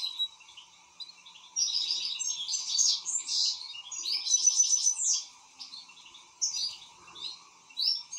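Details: Excited European goldfinch in fast twittering song, rapid liquid chirps and tinkling trills tumbling together, with bursts of rolled notes and short pauses between phrases.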